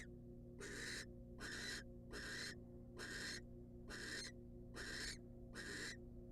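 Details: A wild barn owl female being given a rat by her mate in a nest box gives seven regular, harsh breathy screeches, each under half a second, against a faint continuous hum.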